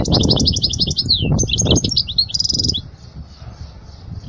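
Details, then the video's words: European goldfinch singing to teach young goldfinches: fast tinkling twitters and slurred descending notes, ending in a short buzzy trill before fading into quiet, with low thuds and rumble underneath. "اجمل غناء لتعليم صغار الحسون"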